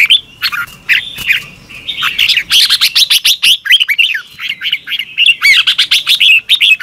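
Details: Red-whiskered bulbul morning song in the double-twist voice, meant to coax young birds: opening sustained whistled tones give way to rapid, rhythmic runs of sweet looping chirps that continue to the end.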